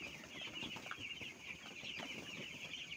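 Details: A flock of little broiler chicks in a rearing shed peep constantly in high, quick chirps that blur into a chorus, over noticeable low shuffling and scratching sounds.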